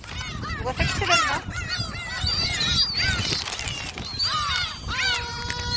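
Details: Many gulls calling while being fed at Jebudo, South Korea: loud descending squeals and yelps overlapping throughout, one held mewing note near the end, with voices and background noise beneath.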